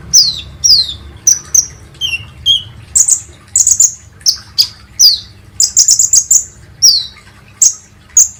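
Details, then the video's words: Kolibri ninja sunbird used as a lure recording to prompt other birds to sing: sharp, very high chirps and short descending whistled slurs, given in quick bursts about every half second, some doubled or in rapid clusters, against a quiet background. "SUARA BURUNG KOLIBRI NINJA"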